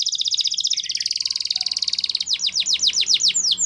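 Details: Russian canary singing: a rapid, buzzy high trill rolls on for about two seconds, then breaks into a string of quick, sharply descending whistled notes.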